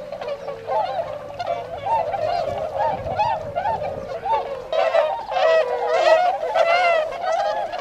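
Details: Wintering Tundra swans in Azumino, Nagano Prefecture, Japan, 22 February 2013, going out to feed in nearby rice fields; loud, looping bugled honks repeat more than once a second and swell into a crowded chorus near the end.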